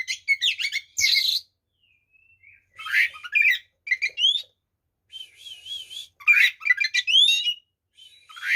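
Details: Energetic fighting song of a white-rumped shama, played to make other shamas agitated: dense bursts of scratchy chatter alternating with clear ringing and upslurred whistles, plus a brief wavering tone, in phrases about once every three seconds.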